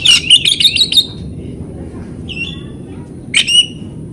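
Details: Oriental magpie-robin (kacer) training recording to stir silent birds: rapid harsh chattering notes, a short whistled note, then two loud harsh bursts, with quiet gaps.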